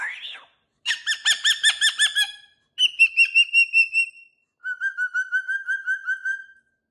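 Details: Pet cockatoo in its cage, busy with new jingly toys, voices a brief rising squawk followed by three bursts of rapid pulsed 'woo woo woo' notes, the last a steadier, lower wavering series.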